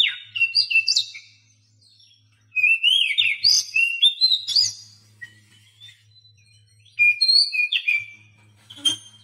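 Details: Oriental magpie-robin song meant to coax silent captive birds into singing: varied whistled phrases that rise and fall steeply, in three bursts separated by pauses, with a faint low hum beneath.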